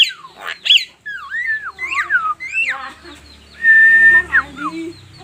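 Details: Javan myna, unedited recording: varied looping whistled slurs, a few rough notes, then a loud sustained level whistle followed by short downslurred whistles. A low hum runs underneath.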